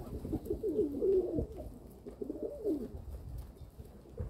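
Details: Owner's domestic pigeons on 27 May 2022: a burst of quick, warbling low coos in the first second and a half, then quieter, with another short rolling coo near the middle.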